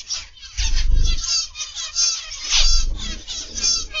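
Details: A flock of zebra finches kept in an aviary chatters steadily, with many nasal, buzzy notes overlapping, over a low rumbling background and a few soft thumps.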